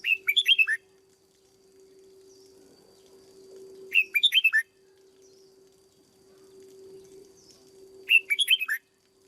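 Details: Trained caged red-whiskered bulbul, a decoy bird being conditioned into peak form, repeats the same short chirpy phrase of six quick slurred notes three times, every four seconds, over a faint hum.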